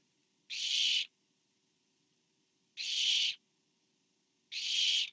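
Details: On 24 September 2015 a barn owl parent delivers food to an owlet; three loud, harsh, noisy screeches ring out, each about half a second long, the first two about two seconds apart and the last following quickly.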